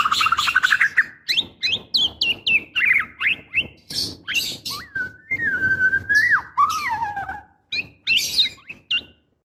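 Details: Female white-rumped shama in breeding condition calling to the male: a fast, varied string of chirps and slurred whistles, then a long, drawn-out whistle that falls gradually, followed by scattered short notes.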